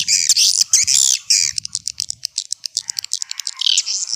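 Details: Swiftlet lure sound, old-style, played to attract the birds: several harsh, buzzy high bursts, then a quick series of sharp clicking ticks, ending in a raspy trill.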